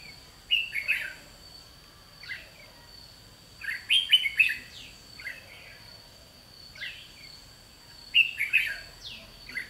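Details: Challenge song of a decoy red-whiskered bulbul during bird trapping, 30 May 2016: lively bursts of three to five sharp, warbling notes separated by gaps of a few seconds, with a continuous shrill buzzing tone behind.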